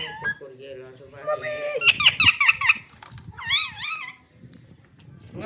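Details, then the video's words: Green parrot talking: low, speech-like syllables at first, then a string of squeaky, nasal, wavering voice sounds, with a short warbling phrase near the end in a small room. "Green parrot talking"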